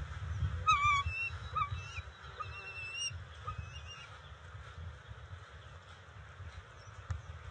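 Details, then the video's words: Bald eagle pair at their nest on June 27, 2021, the female delivering fish to the eaglets; a burst of short, high, thin chirps in the first two seconds, then fainter whistled notes, over a steady low rumble. "Bella Delivers Fish - Family Affair"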